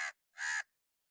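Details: Angry crow calling in alarm or warning, possibly a hooded crow: the tail of one harsh caw, then a single loud, rasping caw lasting about a third of a second.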